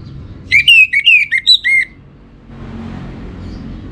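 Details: Orange-headed thrush, a caged bird from Singaraja in northern Bali, gives one phrase of six or seven clear, downslurred whistles in rapid series, followed by faint hiss and hum.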